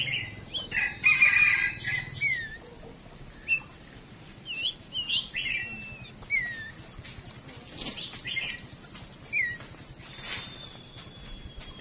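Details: Songbird (chim chuyền) decoy call meant to make males sing: scattered short falling whistles and chirps at uneven intervals, an early busy cluster of notes, and a long thin high tone near the end.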